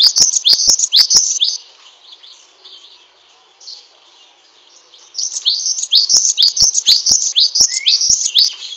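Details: Great tit song in two bursts of rapid, shrill descending chirps with sharp clicks, separated by a quiet gap of several seconds.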